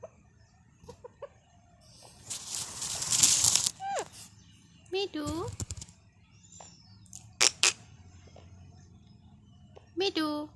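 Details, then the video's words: A rescued Indian pet parrot kept uncaged talks in short, shrill, nasal bursts of mimicked speech, apparently "Mitu", with harsh screechy noise and brief quiet gaps between phrases. "Talking parrot"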